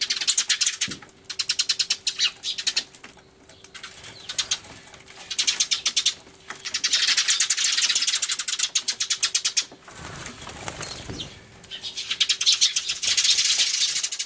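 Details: A flock of sparrows crying hard in a loud commotion, a turtledove among them, recorded 24 March 2013 with an Everio camera: long dense bursts of rapid, shrill chattering chirps, pausing briefly before each new outburst, with a low thump near ten seconds.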